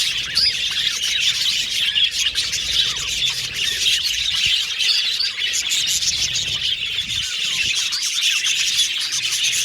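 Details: Australian budgies in an aviary colony, chirping and singing while playing with the cage: busy, overlapping high warbles and squeaky notes, with occasional louder squeals standing out.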